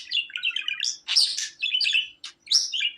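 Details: A pet budgerigar chatters in rapid, high, scratchy chirps and squeaky twitters, with brief pauses between bursts of warbling.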